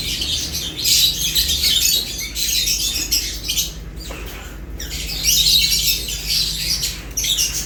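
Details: Feeding lovebirds keep up a shrill, buzzy chorus of chirps in two main bursts separated by a brief quieter gap near the middle, with a low hum behind.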